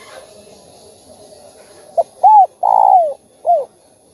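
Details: Spotted dove cooing in a mixed song of thúc, gù and gáy gọi styles, used to stimulate other doves into calling: four low hollow coos, one short, two longer arched notes and a final short coo, over faint background hum.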